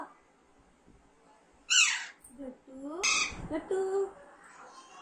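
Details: Young pet Alexandrine parakeet during talking training gives two harsh, rasping screeches a little over a second apart, while a person repeatedly speaks a short word to it in the background.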